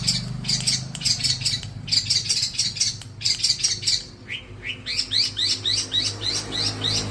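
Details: Young Long-tailed Shrike being raised and trained to sing often. Fast, bright chattering chirps come in clusters, then a run of quick rising whistled sweeps repeated over a low background hum.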